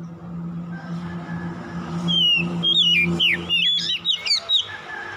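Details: Oriental magpie-robin (kacer) song played as a lure to rouse a reluctant bird to sing: after two seconds of steady low hum, a run of clear, sharply bending whistles, rising and falling quickly, with a few louder notes near the end.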